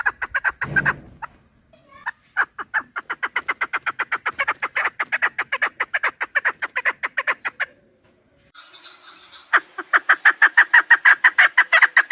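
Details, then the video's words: Chukar partridge used as a hunting lure: repeated fast clucking bursts that stop and restart several times, the last run brighter and louder, with short quiet gaps between runs. "Овози кабк кеклик калик пение каклик мастак модкабк шикор"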